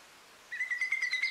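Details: Eurasian whimbrel (Numenius p. phaeopus) at Quiberon, France, in April 2023 gives a rapid, level trill of clear whistled notes, about ten per second, starting abruptly after a quiet moment.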